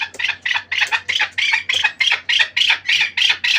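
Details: Captive chukar partridge from the Pamirs giving a fast series of harsh, clucking notes, about thirteen in under four seconds, each a short broadband burst repeated at a steady quick pace in a small indoor space.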